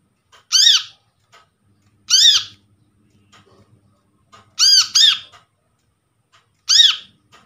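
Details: Brown-throated Sunbird calls from trapped birds, used as a lure to get quiet birds calling. Loud, buzzy arched squawks, mostly single with one pair, sound at intervals of about two seconds.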